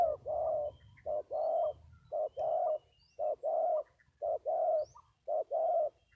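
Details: Spotted dove giving steady husky coos, each phrase a short note followed by a longer drawn coo, repeated about once a second in a regular rhythm, with faint high bird chirps in the background.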